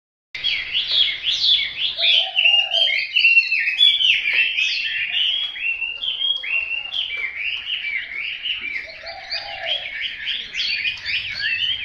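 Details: Hwamei singing a long, continuous run of rich whistled phrases with rapid slurs up and down, varied and unbroken, with a couple of brief low notes underneath.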